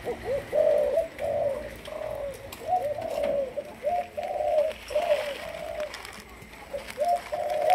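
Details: A young captive Malaysian zebra dove, being trained as a lure bird, gives a run of short, soft, mellow coos in quick succession; faint background noises.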